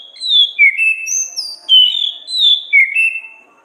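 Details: Orange-headed thrush, a caged songbird, in loud clear song for training: a continuous flow of sweet whistled phrases sliding down and up between high and mid pitch, with almost no gaps.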